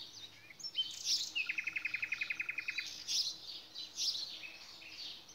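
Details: Nightingale singing outdoors: a fast, even trill of about twenty identical notes lasting over a second, framed by scattered high scratchy notes and soft chatter, with steady background hiss.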